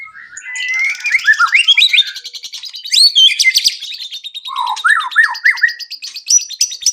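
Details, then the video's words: White-rumped shama song as a lure to make other birds sing: soft slurred whistles over a fine high trill, then a series of repeated downslurred notes about four per second. "PANCINGAN MURAI BATU AGAR CEPAT BUNYI BONGKAR ISIAN"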